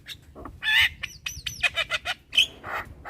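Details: Young Javan myna, head-bobbing and chattering nonstop, gives a quick run of varied notes: harsh clucking bursts mixed with short upslurred whistles and clipped chirps, loud and close, with a faint low hum behind.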